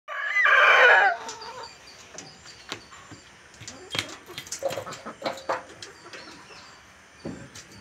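A rooster lets out one loud, harsh, strained crow lasting under a second, followed by scattered soft clucks and clicking noises.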